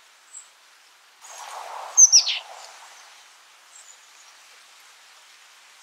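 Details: Oak titmouse: a thin high note followed by two or three harsh, scratchy notes sliding downward, over a steady low rushing background noise.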